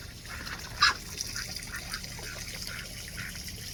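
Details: Playing ducks in a Florida garden call over and over in quick, low-key nasal bursts, opening with a loud sharp note, while water trickles faintly in the background.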